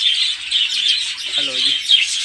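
Budgerigars keep up a dense, high chirping chatter, with a brief low voice-like sound midway.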